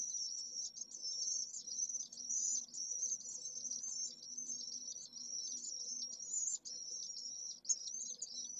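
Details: High chattering trills from a pallid swift nest with a single chick, Jerez de la Frontera city centre, solar midday on 25 August during extreme heat over 44°C, delivered in rapid wavering runs with brief pauses.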